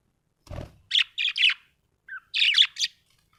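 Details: A budgie gives a quick run of bright, high chirps: three close notes, a brief pause with a softer lower chirp, then three more, after a faint bump at the start.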